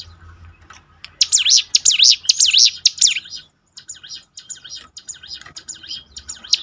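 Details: Bar-winged prinia song used to train birds to sing more often. Loud run of high zigzag whistled notes, then a short silence, followed by softer repeated notes of the same shape. A faint low hum is present.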